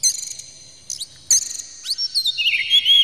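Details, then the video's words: Oriental magpie-robin provoking song: sharp high notes and rising slurred whistles, building into a loud, continuous warbled phrase at the end. "PANCINGAN KACER Buka Ekor KONSLET bongkar MATERI KASAR JERNIH agar KACER emosi"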